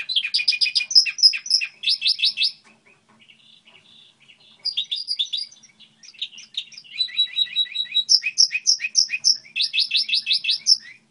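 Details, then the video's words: Goldfinch hybrid song model: lively, high-pitched twittering with bursts of rapid buzzy trills and repeated chirps, broken by short pauses, over a quiet background. "Hibrid sticlete ,model de cântec (Goldfinch hybrid)"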